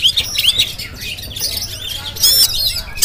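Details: Oriental magpie-robin of the jampang type, a kept songbird, giving a busy stream of high chirps and harsh, buzzy notes, ending in loud rapid ringing phrases, over steady low background noise.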